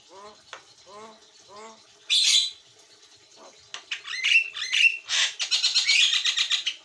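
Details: Actively singing white-eyed Javan myna, recorded as a master for training birds. Soft nasal harmonic notes repeat three times, then a loud harsh squawk, clicks, and a dense burst of rattling chatter mixed with sharp whistles.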